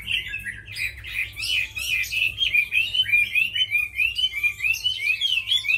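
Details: Tame Chinese hwamei, described as a good fighter and fine singer, pours out a continuous run of slurred, warbled whistles, rising and falling in quick varied phrases, with a faint low hum underneath.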